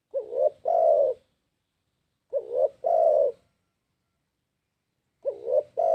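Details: Spotted dove cooing for use as a lure: three phrases spaced by silent gaps, each a rising two-part coo followed by a prolonged, warm coo.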